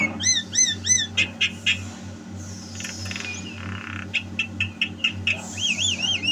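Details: Javan myna singing 'gacor' style, 2022: three repeated looping whistles, then a run of sharp clicks and a wavering trilled whistle at the close, over a constant low hum.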